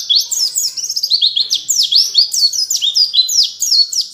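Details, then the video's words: Training song for caged white-eyes in the canary-like 'wit wit cerr kenarian' style: fast continuous high twittering with steep falling and rising whistled slurs, no other sounds. "MASTERAN PLECI WIT WIT CERR KENARIAN , Ngalas Sejaluran"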